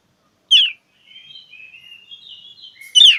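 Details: Oriental magpie-robin challenging a rival: one loud harsh note, a soft continuous whistled warble, then a loud buzzy burst at the end.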